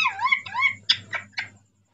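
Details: Male Indian ringneck parrot talking: two rising-falling warbled phrases followed by three short harsh squawky syllables, clear in a quiet indoor room.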